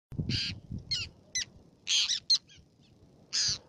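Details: Black-naped tern at Fares, Baa Atoll, Maldives: harsh, rasping high-pitched calls in short bursts, some longer and buzzy, others clipped and sharp, given irregularly with quiet gaps and a faint low rumble beneath.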